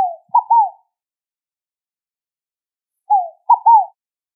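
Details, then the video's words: Two phrases of scaled dove song about three seconds apart, each a descending coo and a doubled, slightly clipped hoot; otherwise silent. "O Canto da Rolinha Fogo Apagou!"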